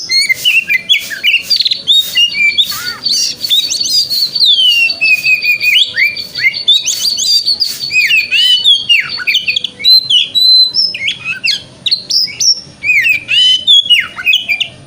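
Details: Sustained 'wikplong' song of a white-rumped shama, meant to stimulate a shama in the morning to open its tail; a long run of high whistled notes, swooping slurs, trills and harsh chatter with barely a break.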